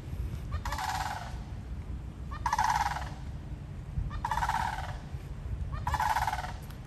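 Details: Florida sandhill cranes giving loud, rolling, trumpeting rattles, four bursts each close to a second long at roughly even intervals, with a constant low rumble beneath.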